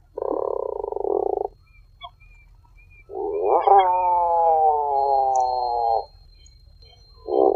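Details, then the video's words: Tufted puffin calls: a one-second buzzy groan, then a long drawn moan of about three seconds with stacked harmonics that slowly falls in pitch, and the start of another groan at the end. "Tufted puffin sound and call"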